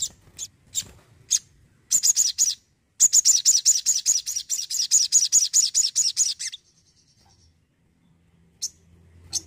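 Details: Energetic Crimson sunbird singing: a few thin, very high chips, then a fast run of sharp, evenly spaced high notes lasting about three and a half seconds, followed by brief scattered chips.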